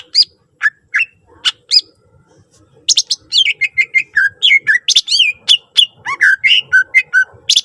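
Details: Greater green leafbird in full, richly varied song packed with fill-in phrases, used to lure other leafbirds into singing: a few sparse chips, then a dense run of sharp whistled notes and rising, falling slurs.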